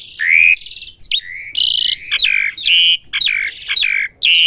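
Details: Asian pied starling being trained to learn sounds: loud phrases mixing clear whistled notes with harsh, buzzy bands, each burst about half a second long and separated by short gaps, mostly high-pitched.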